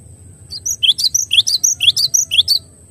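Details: Cinereous tit singing a clear tutor song of loud, piercing whistled notes in fast falling pairs, about two each second for two seconds, against a faint steady high tone and low rumble.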